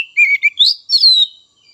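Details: Young, untrained Oriental magpie-robins, both raw and speckled juveniles, give a brief burst of clear, whistled song meant to stimulate other magpie-robins: a few quick high notes, then a sliding, warbled phrase, all in under two seconds.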